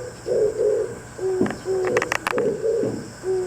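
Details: Oriental turtle dove in the morning, calling back and forth with another dove: low, hoarse cooing notes in repeated paired phrases, broken by a few sharp broadband clicks, over a steady low hum.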